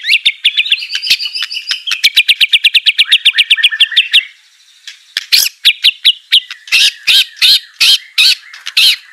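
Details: White-rumped shama song for prompting a reluctant singer: a long, fast trill of bright ticking notes for about four seconds, a short gap, then louder spaced harsh notes roughly twice a second.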